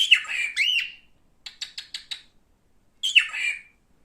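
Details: Male cockatiel, a pet bird, opens with two harsh rising-falling screeches, follows with a rapid series of five short clicking chirps, then a final grating squawk.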